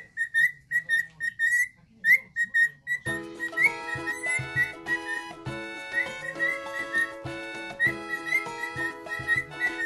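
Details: Pet parrot, either a cockatiel or a monk parakeet, singing without stopping indoors: a run of short clear whistled notes, some rising and some sliding, with faint high chirps; after about three seconds loud music with steady tones joins in.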